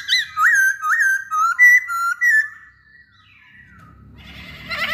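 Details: Masked laughingthrush in captivity, sung to stir other birds into song: a run of five loud whistled phrases about two per second, fading into quiet rising notes and a rough burst at the end.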